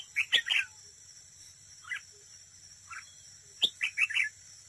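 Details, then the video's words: Red-whiskered bulbul used as a decoy at a trap, singing competitively: two lively warbled phrases open and close the clip, with single chirps between them, sharp clicks and a steady shrill background whine. "Cận cảnh chào mào mồi đấu bẫy, hót đấu"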